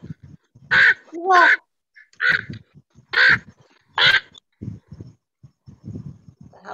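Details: Harsh, raspy crow caws repeated irregularly, five loud calls spaced about a second apart, interleaved with a woman's speech.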